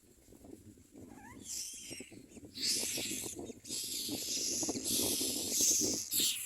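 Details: Common myna chicks screaming for food while being fed: a few faint chirps, then long, harsh, hissy screams rising in loudness over steady rustling and bumping.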